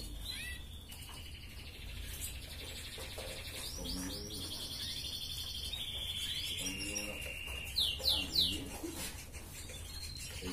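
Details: Red canary singing a lively 'gacor ngerek' master song meant to raise breeding drive in hens: long high trilled and buzzy phrases with sweeping notes, a few louder rapid chirps near the end, over low background hum.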